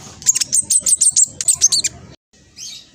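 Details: Speckled black sunbird, a fast and vocal lure bird, delivers a quick run of about a dozen high, sharp chirps in under two seconds, then falls quiet.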